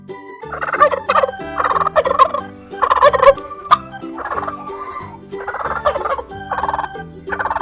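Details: Turkey gobbling in repeated bursts of rapid, warbling gobbles, each about half a second long, over a steady backing of children's music with bouncing bass notes.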